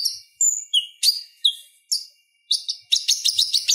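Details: Purple-throated sunbird, or konin, singing chirpy tutor song for kolibri ninja: thin high slurred notes and chips, speeding into a rapid buzzy chattering run at the end.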